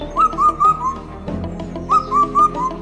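Indian cuckoo giving two phrases of four clear whistled notes, each phrase falling slightly at the end, over soft background music.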